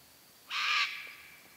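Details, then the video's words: A single loud, harsh, broadband screech lasting about a third of a second from one of a pair of sulphur-crested cockatoos, recorded one evening at sunset on a farm near Darwin, Australia, against a quiet background. "Sulphur-crested Cockatoos in the Sunset"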